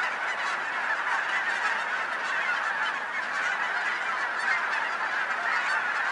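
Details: Massed geese near a Colorado residential area honk together in a steady, continuous roar of overlapping calls that holds an even loudness throughout.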